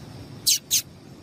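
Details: Two short, high, sharp chips a quarter second apart from a female yellow-bellied seedeater (papa-capim), a call used to excite males, over faint low background noise.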